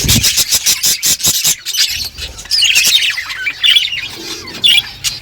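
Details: Budgerigar flock on a beautiful morning, birds talking to each other: dense, high scratchy chirps and squawks, with a burst of rapid clicking pulses in the first second and a half, then overlapping warbled chatter.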